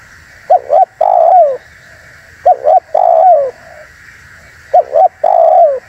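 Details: Spotted dove call for luring wild doves and rousing other doves to answer. Three phrases about two seconds apart, each two quick coos then a longer falling coo, over a steady background hiss.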